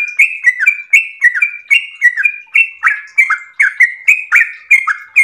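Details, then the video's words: Yellow-vented bulbul in long, melodious 'ropel' style song, lively and chatty: a steady run of short, liquid, slurred notes, each dipping or rising, delivered about three per second for the whole stretch, with no other sounds behind. "ROPEL MERDU trucukan gacor ropel panjang istimewa"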